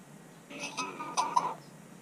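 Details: Pet common hill myna weighing 312 g, kept indoors, recorded on 17 October 2021 while drying after an early-morning bath on a day of poor weather; a single voice-like harmonic utterance lasting about a second, with two louder accents near its end, in a quiet room.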